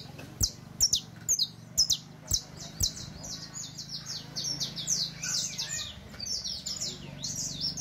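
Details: Criollo canary song for teaching young birds: fast high-pitched trills and chirps, rapid rising and falling notes, with several other birds twittering and low rumbling background noise.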